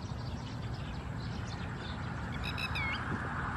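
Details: Red-wattled Lapwing (Vanellus indicus atronuchalis) at Khao Yoi, Phetchaburi, Thailand, 28 August 2020, giving a brief burst of shrill, strident notes, one rising and falling, over steady low rumbling background noise.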